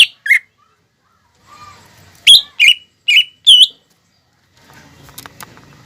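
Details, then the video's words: Greater green leafbird, singing vigorously as a lure to get young birds singing. A few isolated whistled notes, then four loud, slurred, squeaky phrases in quick succession, followed by faint background noise. "PANCINGAN CUCAK IJO GACOR UNTUK MERANGSANG EMOSI OMBYOKAN/TROTOLAN BIAR CEPAT BUNYI"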